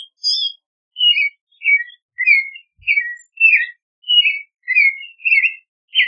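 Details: Singing clay-colored thrush delivering about a dozen evenly spaced whistled phrases, warbling and slightly descending, a high thin note at the start.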